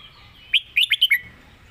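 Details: Red-whiskered bulbul 'master song': a crisp, cheerful phrase of five clear whistled notes, the first set apart and the others tumbling quickly together, against faint background birdsong.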